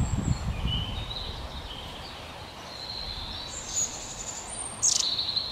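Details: A pair of long-tailed tits nest building (male and female together, also foraging and flying to the nest) by a lake in the New Forest, England: thin, very high, short calls, scattered and faint, with a sharper high note near the end, over low wind rumble.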